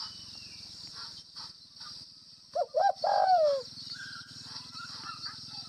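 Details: Spotted dove of the Tây Bắc (Northwest) type giving its 'gáy gù (bo)' coo: two quick low notes, then a long mellow coo that slides downward. A steady high hiss and a low pulsing hum run underneath.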